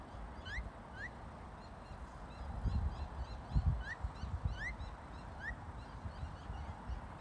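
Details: Phainopepla pair on a rainy day by a river in Tucson, Arizona, female and male softly chattering to each other: soft, rising, whistled 'wurp' notes, single or paired, spaced irregularly every second or so over a steady low wind rumble.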